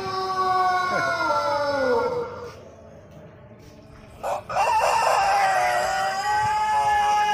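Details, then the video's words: Pelung chicken rooster of Cianjur, West Java, crowing to lure other roosters: a long crow falling in pitch and fading, a pause, then another loud sustained crow rising and holding a steady tone. "Suara Kluruk Ayam Pelung Gacor Untuk Pancingan"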